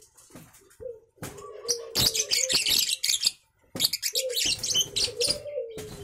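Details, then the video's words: Young lovebird, three months old, from a champion line: after a few soft notes, two long bursts of piercing, scratchy chatter break out with a clear pause between them. Gliding whistles sound alongside. "Burung love Bird Umur 3Bulan Durasi Panjang"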